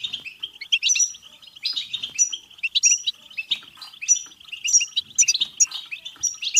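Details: European goldfinch singing, a recording meant to excite goldfinches into song and mating: lively nonstop twitter, tinkling and liquid, with quick high accents and scratchy buzzes woven through a steady chattering base.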